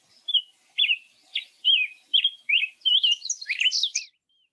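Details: Black-headed Grosbeak sings a rich, robin-like, somewhat random warble of short rising and falling phrases, speeding into a higher jumbled flourish at the end, with a Ruby-crowned Kinglet faintly audible in the background.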